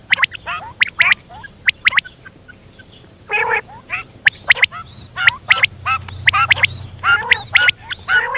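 A female quail gives rapid bursts of short, sharp, chirping notes in quick runs, with brief pauses between phrases and faint background hum.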